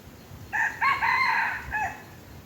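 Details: Close, loud crow of a red junglefowl approached with a domestic chicken lure: a short opening note, a harsh sustained middle and a brief falling end note, against faint hiss.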